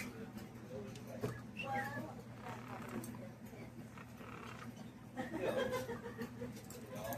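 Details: A green Quaker parrot at a pet store chatters in short, speech-like phrases with a scratchy, nasal tone, ending in a harsher squawky burst, over a steady low electrical hum.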